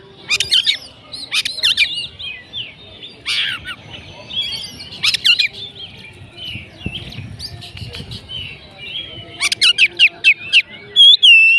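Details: Oriental magpie-robin delivering bursts of rapid chattering notes and clear whistles, quieter mid-section of soft warbled phrases, ending with a fast stuttering series and a pure rising whistle; light background hum.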